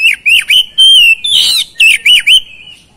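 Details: Loud, persistent oriental magpie-robin song used as a lure for silent birds: rapid swooping whistles, a long level note, a buzzy rasp and a few more dipping whistles packed into three seconds.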